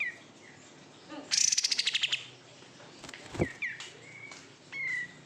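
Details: Kept oriental white-eye (kapas tembak), raised from bulk-caught stock, sings a fast, buzzy, high trill of about a dozen pulses, then a sharp click and several thin, clear whistles. Faint background hum.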